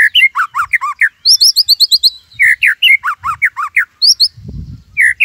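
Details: White-rumped shama in full, energetic song of the Cililin 'tembakan' type used for tutoring other birds: dense bursts of loud slurred whistles alternating with fast high trills and short pauses.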